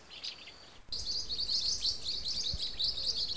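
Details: Blue-winged parrotlet: after a quiet first second, a dense run of high, sharp chirps and twitters starts abruptly and continues, rapid and overlapping, like several birds calling together, over a faint low background hum.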